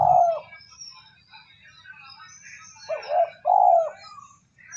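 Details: Cooing of a spotted dove, used to excite a decoy bird: one throaty coo at the start, a quiet gap with light chirping, then two quick hoarse coo notes near the end.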